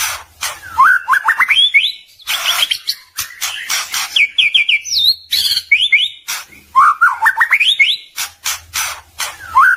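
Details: White-rumped shama song used as a training recording for songbirds: loud, varied whistled phrases with rapid rising and falling notes, sharp clicks and brief pauses between bursts, plus a faint low hum.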